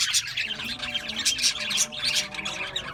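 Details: Flock of Australian budgies in busy chatter, overlapping bright chirps and scratchy squawks in quick bursts, with a faint steady hum beneath.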